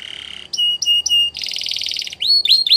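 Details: A Belgian canary sings a fast, varied song: a buzzy trill, several ringing whistled notes, a rapid rattling roll, then sweet rising chirps.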